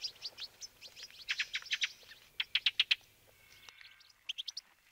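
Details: Fieldfare, a migratory thrush, giving bursts of harsh chattering chack notes in quick series, loudest in the middle, with a few thinner high calls after a pause.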